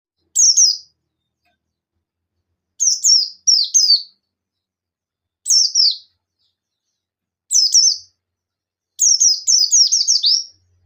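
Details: Buxton's white-eye (pleci buxtoni) calling rivals in ngalas style: sharp high descending notes, singly or in quick runs of two to six, with clean silent gaps.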